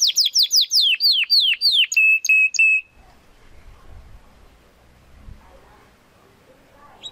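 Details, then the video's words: Young Spanish Timbrado canary, Classico style, practising its song: a run of about ten evenly spaced, downward-sliding notes and a short steady trill, followed by near silence with faint background noise. "Canary Song - Spanish Timbrado Classico"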